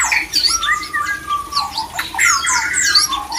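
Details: White-rumped shama male singing to bring other shamas into breeding condition. Long level whistles are broken by sharp downslurred notes and scratchy bursts, delivered without pause.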